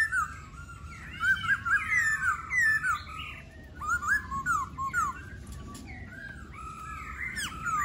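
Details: Varied laughingthrush song: rapid runs of looping, warbled whistles in bursts, each phrase twisting up and down, with brief pauses between and softer notes near the end.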